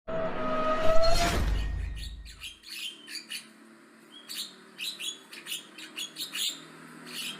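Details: Javan myna chattering loudly and aggressively: after a loud low rumble and a sliding tone in the first two seconds, a fast series of sharp, scratchy chirps and clicks follows, repeated irregularly about two to three times a second.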